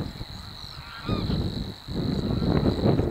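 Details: Savi's warbler, one of two singing at De Onlanden, Drenthe, the Netherlands, late morning of April 22, 2018. An unbroken, even, high-pitched mechanical reel continues over loud gusting wind.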